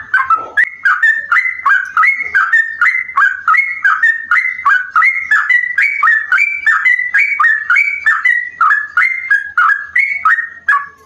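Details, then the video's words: Sooty-headed bulbul giving a long trill likened to a straw-headed bulbul, meant to draw other bulbuls: fast, steady chains of liquid whistled notes, about three per second, run on for over ten seconds. "trucuk Gacor rasa Cucak Rowo"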